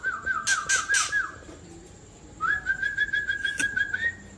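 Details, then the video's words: Old wild-origin white-rumped shama from Tangse delivering rough 'trek kasar' phrases meant to anger other shamas: a buzzy rattled whistle over harsh rasps, a pause, then a long trilled note rising at the end. "Trek Kasar Murai Ori Tua Tangse"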